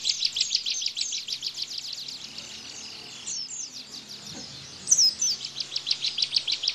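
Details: Ciblek, the bar-winged prinia, in tembakan style as a master for pleci: swift high repeated chips, a softer lull, a sharp whistled flourish, then the rapid chipping resumes.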